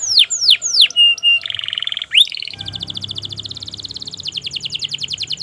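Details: Canary 'gacor' song aimed at stirring silent canaries: descending whistled sweeps, a steady note, a buzzy rattle, then a long fast trill of repeated high notes.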